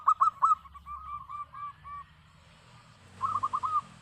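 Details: Local zebra dove singing: a few clipped cooing notes and softer rolling coos, then after a quiet gap a short bubbling trill of rapid notes; low murmur underneath.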